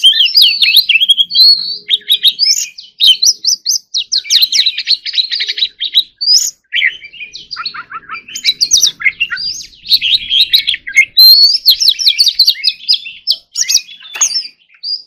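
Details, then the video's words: Long, energetic song of a competition white-rumped shama: dense stretches of rapid chattering and whistled trills, broken by a few brief pauses, then renewed bursts of varied, mimicking-sounding notes. "choè than hót líu || Kacer Gacor"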